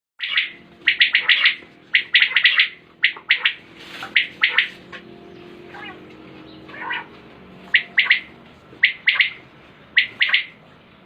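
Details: Common quail, known locally as batair, recorded in 2020: sharp three-note phrases repeated roughly once a second, with a quieter stretch of softer noise midway before the triple calls resume.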